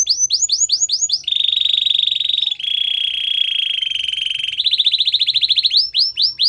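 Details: Canary training song: quick downslurred whistles give way to steady, bright rolling trills at changing pitches, then a fast pulsing trill and a return to slurred notes.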